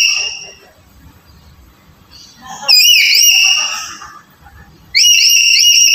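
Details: Black-capped lory calls, used to stir a quiet bird into calling: harsh, harmonic-rich screeches, one wavering burst lasting over a second, then a quiet gap, then another loud screech starting near the end.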